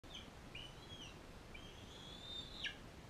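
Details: A bald eagle at a wildlife rehabilitation centre, where a non-releasable adult female fosters an eaglet, gives thin, high whistled notes slurring up and down in two drawn-out phrases. They end with a sharp clipped note over a steady background hiss.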